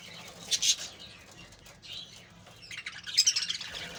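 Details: Colony of captive budgerigars giving short bursts of squeaky, warbled chatter at the start and again in the final second, quieter murmuring between.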